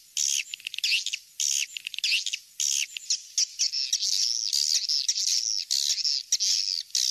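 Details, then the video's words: Recorded swiftlet calling sound of the "kings star" kind, used to draw birds in: loud chirping phrases about every second, merging later into a steady, wavering twitter. "suara panggil walet kings star"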